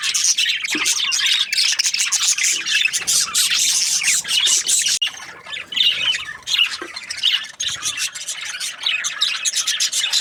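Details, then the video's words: Budgerigars chirping as a flock, first a dense run of scratchy twitters and squawks, then after a brief drop the chatter returns in looser, choppier bursts. "Budgies parrot chirping sounds"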